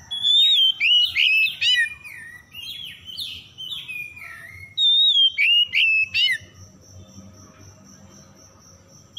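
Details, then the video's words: Oriental magpie-robin song used as a lure to get stressed, silent birds singing again: loud whistled phrases sliding down and looping, some rising sharp notes, about six bursts in six seconds, then a faint steady high tone continuing alone. "PANCINGAN PEMIKAT KACER SETRES MACET BUNYI LANGSUNG GACOR"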